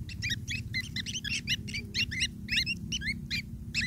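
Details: Long-tailed shrike chicks fed by a parent, calling in a dense chatter of short, high, squeaky notes, several per second.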